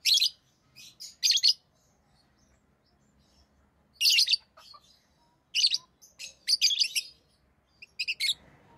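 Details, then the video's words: Shrill, scratchy chirps from a tame rosy-faced lovebird, delivered in short clusters of two or three notes with pauses of a few seconds, rising to a busier run of calls near the end. "Rosy Faced Lovebird Chirping Sounds"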